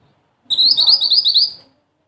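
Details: Mantenan, a small black-and-red wild bird kept as a songbird master, giving a sharp, high rapid chattering phrase of about a second of quick buzzy notes, with faint low rumble underneath.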